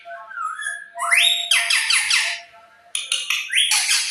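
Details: Pet parrot vocalizing: a low whistled note, then a rising squawk breaking into a rapid series of harsh repeated notes, a short gap, and another burst of harsh chatter.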